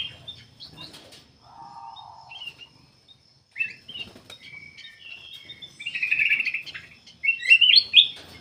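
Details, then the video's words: Black-capped bulbul song, used to lure other birds into singing: soft scattered chirps and a brief low buzz, building to a loud warbling rush and high whistles near the end. "KUTILANG EMAS \ CUCAK EMAS GACOR FULL GACOR sangat bagus buat pancingan \ pikat"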